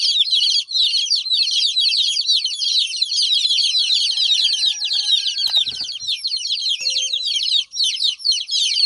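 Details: Baby chicks crying while the hen is gone: an unbroken wall of high, sharp, falling peeps from many chicks. A brief clatter sounds midway, and faint whining tones sit beneath.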